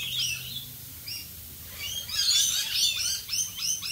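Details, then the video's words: In rainfall, Australian rainbow lorikeets give scattered sharp high chirps, then a loud, dense flurry of screechy, rapid notes after about two seconds, continuing in quick squeaky bursts. "Australian Rainbow Lorikeets Singing in the rain."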